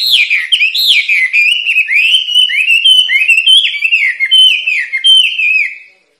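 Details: White-rumped shama in energetic, continuous song used to train caged birds, with rich whistled phrases that swoop up and down, linked in an unbroken flowing stream before fading out.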